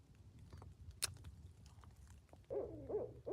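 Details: A Barred Owl at night, heard around 10:30 pm from a tent while camping in the woods, gives wavering, hooting notes that rise and fall near the end, after a quiet stretch with a sharp click and faint rustling.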